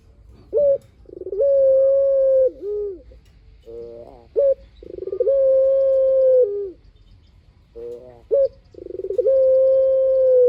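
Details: Spotted dove repeating its cooing song as a lure for other doves: each phrase opens with a quick rising note, swells into a long steady hoot ending in a dip, and is separated by rolling burrs.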